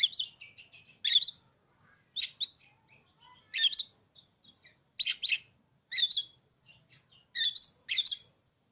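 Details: Caged Oriental magpie-robin, bought three days earlier after not singing for its first owner, gives sharp harsh double bursts roughly once a second with soft notes between. Used to provoke other magpie-robins into singing. Quiet background.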